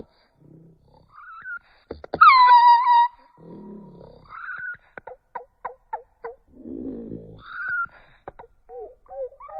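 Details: Starling imitating human-like sounds: scattered clicks and short chirps, a loud, falling, harmonic-rich whistle held about a second, low hoarse rasps, quick paired notes and soft looping warbles.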